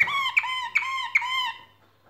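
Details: Canary during nest building: four squeaky, sharp notes in quick succession, each a bright chirp with a lower sliding tone, spaced about every 0.4 seconds, then quiet.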